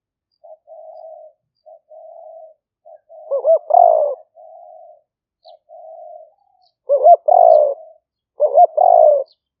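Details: Spotted dove lure sound in the liu fueang style, recorded live on a smartphone in rainy-season rice fields in Roi Et, Thailand. Soft, low, level coos alternate with louder phrases of looping notes and a falling coo, repeated about every two seconds.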